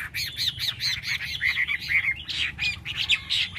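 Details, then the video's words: A Chinese hwamei sings a busy, rollicking phrase of harsh-edged whistles and quick rising and falling slurs, delivered almost without a break. "Mi xoe canh tot cao cau"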